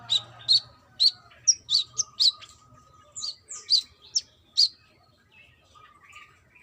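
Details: Lively female brown-throated sunbird calling a male: a quick string of bright, high, slightly varied chips for about five seconds, then fading softer notes and a faint hum.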